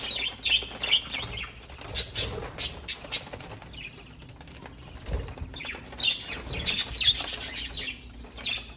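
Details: High, thin chirps tumble out in irregular chattering runs from small parrots, with scratchy rustles and a low thump midway.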